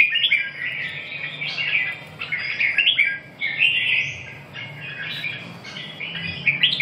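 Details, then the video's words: Red-whiskered bulbul (chào mào) singing a steady stream of warbled, fluty phrases mixed with a few squawky notes. "chim Chào mào"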